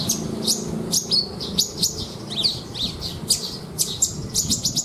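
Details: Branjangan, a Horsfield's bush lark kept as a contest bird, sings a luxurious fill of imitated phrases: clipped high chirps, quick descending slurs and short rattles in uneven bursts over faint background rumble.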